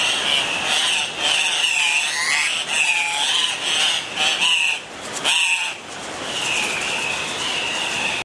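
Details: Andean cock-of-the-rock in Colombia giving a near-continuous run of loud, nasal, wavering squawks, rising and falling, with overlapping calls suggesting several birds.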